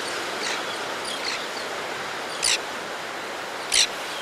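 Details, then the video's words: Adult white-fronted tern calling as it arrives at the nesting ledge to feed its young, recorded close up: two short, harsh, rasping calls about a second apart over steady roaring surf. "White Fronted Tern / White-Fronted Tern. CU Calls From Adult As It Comes To Nesting Ledge To Feed F"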